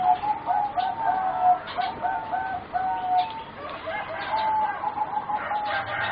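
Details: Bred for song contests, these four young zebra doves aged near four months keep up continuous overlapping coos: clipped, flute-like notes in quick rolling runs at slightly different pitches, with occasional higher chirps from other birds.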